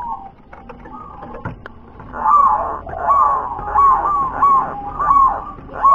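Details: Local wild zebra dove in WER-KE-TE-PEK style song: after a faint start, a steady run of short, slightly rising cooing notes repeated roughly once a second, mid-pitched and even.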